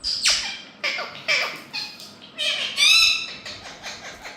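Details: A group of Indian ring-necked parakeets give harsh, screechy squawks and rasping chatter, about two a second, some calls rising sharply in pitch.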